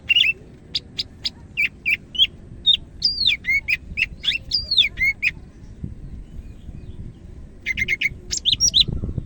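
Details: Greater green leafbird of the Medan type in full song: a long run of rapid, evenly spaced chips that turns into looping whistled slurs, then a pause and a renewed burst of repeated notes.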